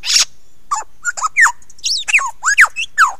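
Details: Lyrebird singing close-up on Ben Ricketts at 9 AM on 16 November 2022: a quick, varied run of a harsh burst, then loud whistled notes swooping up and down, each different from the last, over about three seconds.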